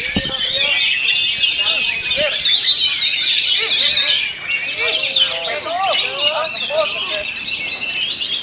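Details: A kacer, the Oriental magpie-robin, sings its rolling stone style fast and tightly packed through strong wind. High chattering and whistled phrases flow continuously, broken by short lower swooping chirps.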